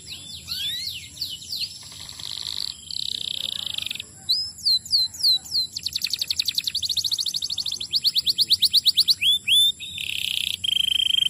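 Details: Canary song meant to stimulate other canaries to sing: rising whistled sweeps, a buzzy held trill, then a long fast series of down-slurred notes and a closing steady whistled tone.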